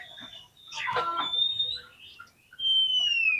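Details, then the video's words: Song of an oriental magpie-robin, meant to trigger a fighter response and tail-opening: a burst of dense, grating chatter, then sustained level and falling whistles, ending in a long clear downward-sliding note. "COCOK UNTUK PANCINGAN KACER YANG MALAS BUKA EKOR SEKALI DENGAR AUTO FIGHTER"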